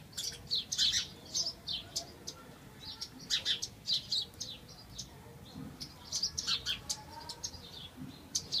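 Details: House sparrows chirp in lively bursts of two to five sharp, high notes, spaced by short quiet gaps, with faint low rumbling beneath.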